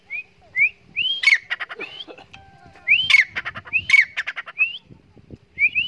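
A grey francolin gives runs of loud, rising whistled notes broken by harsh, rattling bursts. The phrase comes twice over about six seconds.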